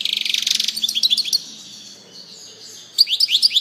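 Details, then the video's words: Quick buzzy trill, then a string of high sliding chirps from a European goldfinch, a quieter thin note, and a final burst of bright rising chirps repeated rapidly. "singing canary chardonneret song saka kuşu sesi"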